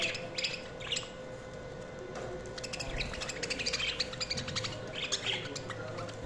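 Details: Budgies chattering continuously in busy, overlapping runs of rapid scratchy chirps and soft warbles, keeping an even level from start to finish, with a low steady hum in the background.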